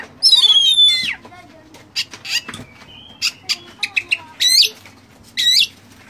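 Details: Oriental magpie-robin fill-in song for training caged birds: long descending whistle, then scattered short clicks and notes, followed by two loud looping high phrases near the end.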